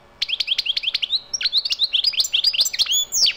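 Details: Wild European goldfinch in full song, a fast tinkling run of sharp chirps at a steady pace that turns into varied warbled notes and a buzzy flourish at the close.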